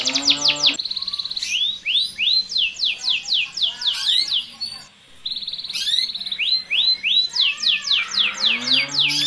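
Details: Canary mating song, male singing and female responding before mating: rapid high downward-slurred notes in quick runs, buzzy trilled stretches and rising whistles, broken by a brief pause before fast repeated sweeps resume.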